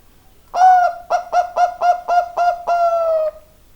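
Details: Bangkok zebra dove giving one full song phrase: seven short rhythmic coos in quick succession, then a longer sustained note that slowly falls and fades.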